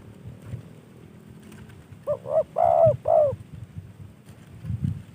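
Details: Trained spotted dove received as a gift from a fellow hobbyist, giving one cooing phrase of two short rising notes, a long drawn coo and a final falling note, over a quiet low rumble.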